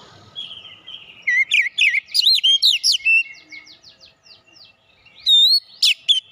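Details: Oriental magpie-robin song used as a lure to excite birds and make them sing their full repertoire: clear rising and looping whistles, then a fast run of short buzzy strokes, ending with sharp bright notes after a pause.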